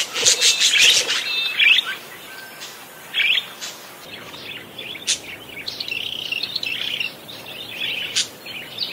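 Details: Parakeet singing vigorously: a dense, fast run of warbled chatter with scratchy, buzzy notes and sharp high chirps, most sounds high and bright, clustered in quick bursts with brief softer gaps.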